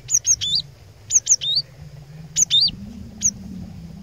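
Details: Cinereous tit used as a decoy to challenge opponents, giving three short bursts of high, sharp, down-slurred notes about a second apart over faint low background noise.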